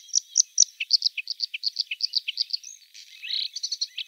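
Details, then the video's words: Bluethroat singing a rapid, varied phrase of short, high, clicky chirps. Some notes are doubled, with lower dips between them. A brief buzzy, scratchy passage follows, then more quick chirps over a quiet background. "Варакушка (Luscinia svecica) - голос"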